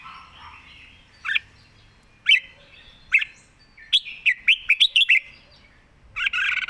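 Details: Red-whiskered bulbul perched and singing at ease, praised for fine phrasing and quick delivery: short bright chirped notes, first in single bursts about a second apart, then a fast run of six or seven clipped notes, with a faint low hum behind.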